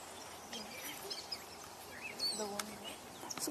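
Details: A Gray Catbird sings on 29 June 2024, perched near the top of a dead tree with a few other catbirds around. It gives a jumble of short, varied, squeaky and chirpy phrases, high and quick, while a person talks quietly in the background.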